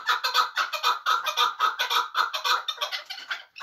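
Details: Chukar partridge from Muminobod, kept for hunting, uttering loud raspy chuk-chuk notes in quick pairs and triplets, about two per second.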